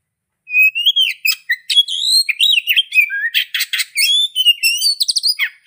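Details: Oriental magpie-robin song starting after a brief pause: clear slurred whistles alternating with buzzy rasping notes and fast repeated chips, delivered without break.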